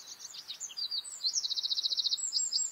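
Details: Bluethroat singing: varied high, sharp chirps lead into a fast, even trill of about a dozen identical clicking notes, followed by more scattered squeaky phrases; steady background hiss.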